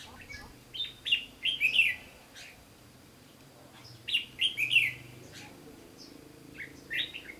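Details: Red-whiskered bulbul singing a fighting song as a lure bird in a trap, recorded 15 June 2016: bubbly whistled phrases of four or five quick notes, repeated about every three seconds, then a shorter closing phrase.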